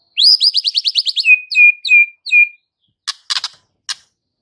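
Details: White-rumped shama singing to provoke fighter males: a fast run of rising buzzy notes, then four downslurred whistles ending in steady tones, followed by a few harsh clicks.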